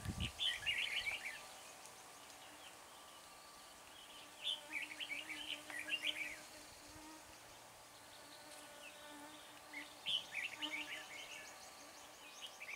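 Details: Decoy red-whiskered bulbul singing to attract wild birds: short, chattering, warbled phrases repeated every few seconds, rather distant, with a constant faint hum and hiss behind.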